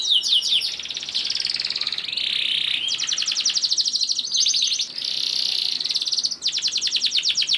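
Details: A singing canary gives long 'ngerek' rattles as a lure for other canaries: extended dense buzzy trills, almost unbroken, with brief shifts between rattling sections.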